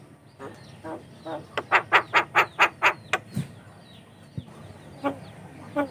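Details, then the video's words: Javan myna song used as a lure and training sound for other mynas: a steady series of about eight loud, rasping churr notes, flanked by softer scattered calls. "COCOK UNTUK PANCINGAN JALAK KEBO BAHAN || jalak kebo gacor calon pemasteran"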